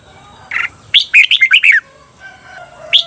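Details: Red-whiskered bulbul from Thailand, a 'double' (เบิ้ล) training song for caged birds; one short introductory note, then a rapid run of about six bubbly, warbled notes, and another phrase starting at the end.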